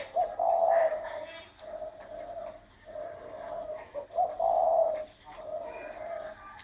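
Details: Repeated cooing of a spotted dove: two loud coo phrases each led by a quick rising note, with quieter coos in between, over a constant high whine.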